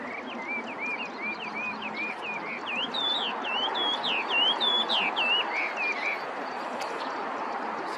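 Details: Hwamei singing: a long run of varied, looping whistled phrases, rising and falling slurs repeated quickly for about six seconds over steady background hiss and rumble.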